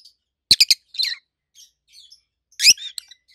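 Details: Adult rosy-faced lovebirds give a quick triple of loud sharp chirps, a warbled note, soft twitters, then another strong harsh chirp and a few fading notes.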